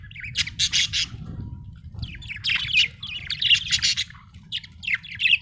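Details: Budgerigar warbling chatter: rapid buzzy chirps and rising squeaky notes almost continuously, with a low hum beneath.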